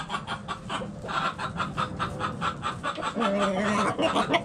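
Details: Hens clucking in a backyard chicken coop, a rapid run of short, rhythmic clucks about two or three per second, with a longer drawn-out harmonic note rising in later seconds over low rumbling background.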